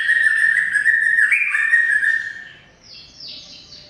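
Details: Greater green leafbird (cucak ijo) delivering a sustained pure whistle that holds level, steps briefly higher and falls back for over two seconds, then fades into faint softer high notes.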